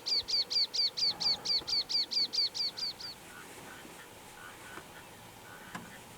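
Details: Rufous-eared warbler song recorded in Karoo National Park, a rapid run of uniform high, slurred notes roughly eight per second lasting three seconds, then stopping; faint softer calls and a brief click follow against quiet background hiss.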